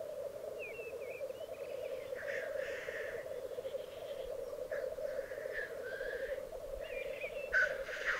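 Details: Black grouse displaying at a lek in the Piedmont Alps of Italy, recorded over two days in spring 2022: distant soft bubbling cooing phrases with thin rising whistles, under a constant low drone.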